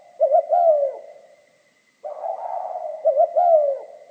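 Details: Spotted dove song in the mixed 'kim' voice style: two quick coos and a long falling coo, a silent gap, then a burring coo and the same short-short-long phrase again, low and husky.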